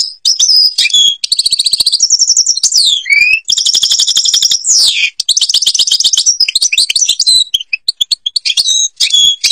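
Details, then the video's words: Long European goldfinch song from Algeria in the Babas forest style: varied high twittering, buzzy trills, rising and falling slurred whistles and rolling rattles, sung almost without pause. "(canto jilguero argelia) تغريد غابة الباباس تيبرلي"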